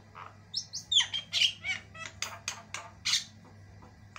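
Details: A white-eyed Javan myna in long, varied, vigorous song: a rapid string of harsh, scratchy squawks mixed with sharp whistled notes, about two bursts per second, over a faint low hum.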